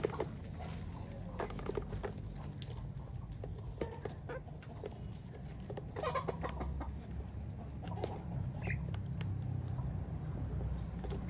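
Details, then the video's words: Farm chickens among ducks, giving scattered short clucks over a deep steady hum of background noise. "What Do Natural Duck and Chicken Sounds Like?"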